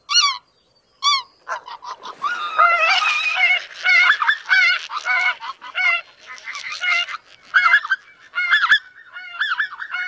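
Greater White-fronted Geese call in a lively flock, high yelping, laughing notes tumbling over each other, some with a rising-falling squeak.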